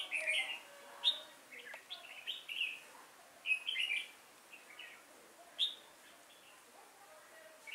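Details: Red-whiskered bulbul used as a trapping decoy, singing while actively flapping its wings to lure wild bulbuls, recorded 5 October 2018 in Vietnam; short bright chirping phrases in quick bursts, several overlapping, with quiet gaps between.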